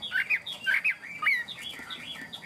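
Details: Tame Chinese hwamei kept in a cage, giving short, quick whistled notes that dip and rise, several slurred phrases in under three seconds over a faint hiss.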